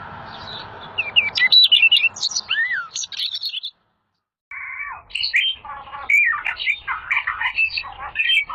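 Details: Rare 'little fellow' bird singing a lively mastering song for training pet songbirds: a low buzzy rattle, then quick high twisting whistles and chirps, a short silence, and more rapid varied chattering phrases.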